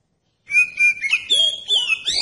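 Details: Oriental magpie-robin singing as a lure to provoke other magpie-robins to reply and sing: after a brief silence, loud clear whistled notes held level, then sliding and rising whistles with a quick downward sweep, bright and ringing.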